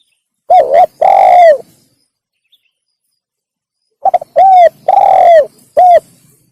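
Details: Spotted dove, recorded as a lure for wild doves, giving two phrases: a doubled short coo and a long descending purr, the second adding a quick stutter and a short closing coo, with a long pause between.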